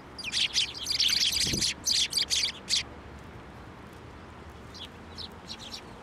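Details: Sparrows at a Tenmangu shrine in January, coming to a hand for food: a dense run of sharp, high chirps for nearly three seconds, then scattered fainter chirps, with one low thud among them.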